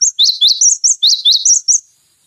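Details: Cinereous tit in full song, recorded to tutor other songbirds: a dense two-second string of about ten sharp, high chirps alternating between two pitches, delivered quickly and evenly.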